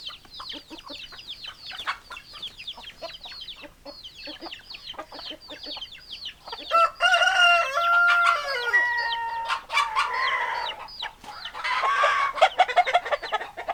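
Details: Chickens, hens and roosters, clucking and crowing. Dense, rapid, scratchy clucks and chatter fill the first seconds. A harmonic crow-like call then rises and falls midway, followed by more loud overlapping fowl calls.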